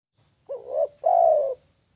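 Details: Spotted dove call used to lure birds: a short rising-falling coo followed at once by a longer, steady, purring coo, clear against a quiet low hum.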